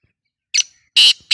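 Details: Black francolin giving its lively full-voiced call, said to make other francolins answer: a short harsh note, then two loud, buzzy, grating bursts about a third of a second apart, heavily overdriven and piercing.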